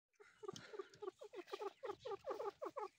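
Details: Grey partridge chick calling: a quick series of short, down-slurred, harmonic notes repeated several times a second, gaining in strength after a brief soft start.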